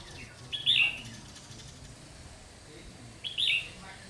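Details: Trapping session on 30 June 2020 with a novice decoy red-whiskered bulbul: a quick twittering phrase, a pause of nearly three seconds, then a matching phrase, against low background noise.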